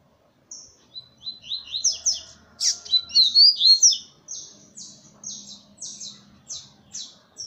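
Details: Double-collared seedeater singing on a hand: a brisk, high warble with a sharp loud note in the middle, ending in a string of evenly repeated short buzzy chips.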